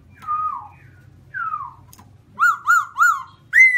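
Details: White-cheeked black-throated laughingthrush song: slow descending whistles, then three rapid looping notes and a final bright high whistle.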